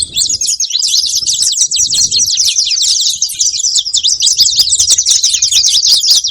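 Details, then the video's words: Saffron finch making noise: a dense, unbroken stream of rapid, high, sharp chirps and trills over the whole stretch, with a faint low rumble underneath. "Canário da terra fazendo barulho"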